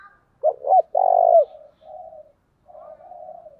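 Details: Spotted dove cooing in the early morning to lure wild doves, in the local 'thổ đồng' voice style: two short pulsed coos, then a longer loud steady coo, followed by two softer drawn-out low coos with pauses between.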